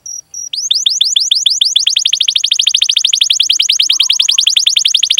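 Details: Canary song from a training recording meant to prompt young or silent canaries to sing: two brief high notes, then a long, rapid rolling trill of rising chirps repeated steadily for about five seconds.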